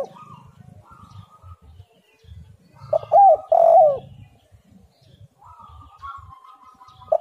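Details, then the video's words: Lure recording of a spotted dove used to make other doves sing: one strong, husky coo phrase in the middle, with faint level hooting before and after and a low rumble underneath. "derkuku super gacor suara angin Topan"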